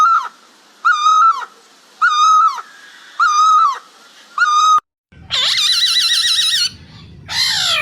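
White-browed scimitar babbler giving five hollow, fluty hooting notes about once a second, followed by an abrupt switch to a harsh, warbling chatter.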